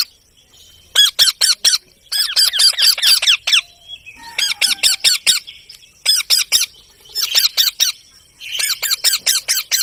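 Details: Pet parrot in South Asia, given a soft voice; rapid bursts of harsh, rasping squawks in clusters of four to six, with short pauses between groups over about ten seconds.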